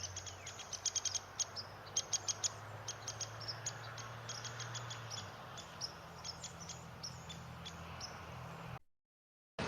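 A woodpecker gives sharp, high, clicking 'pik' notes, repeated irregularly over several seconds. A faint low hum sits underneath at first.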